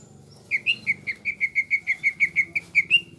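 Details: Greater green leafbird in vigorous song, delivering a steady run of about fourteen short, clear whistled notes on nearly the same pitch, roughly four or five per second, against a low background murmur.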